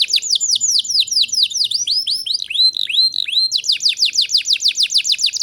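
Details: Canary singing as a training tutor for young birds: rapid series of downward-sweeping whistled notes, varying in pitch, with a higher run of quick slurred notes near the end.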